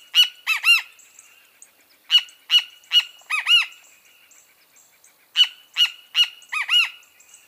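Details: Great kiskadee (Pitangus sulphuratus) repeating short bursts of three to five loud, harsh notes, some arched and ringing. Pauses of over a second separate the bursts, with faint soft notes in the quiet stretches.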